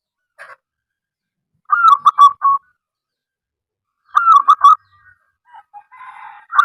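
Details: Local wild-type zebra dove (perkutut lokal alam) in full song, used to coax other doves into calling. Two loud, rolling phrases of rapid, stuttered coos come about two and a half seconds apart, followed by softer scattered notes.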